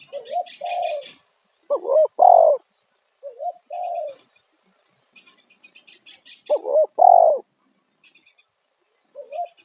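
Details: Loud lure call of a spotted dove used to attract wild birds: phrases of short rising coos ending in a longer, stronger drawn-out coo, repeated several times, with light twittering of small birds behind.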